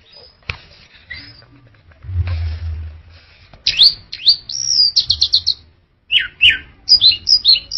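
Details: Orange-headed thrush in full song, high whistled phrases with rising and falling sweeps and quick trilled notes repeated in bursts, a low hum underneath.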